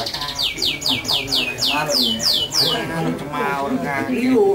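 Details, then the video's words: Canary singing: a quick run of about eight clear, downward-sweeping whistled notes, then lower warbling phrases, with a voice in the background. "Suara Merdu Burung Kenari"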